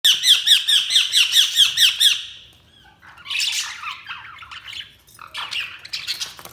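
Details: Budgerigars chirping: a rapid run of bright, harmonic squawky chirps repeated about twice a second for two seconds, then busier overlapping warbles and chatter after a short pause.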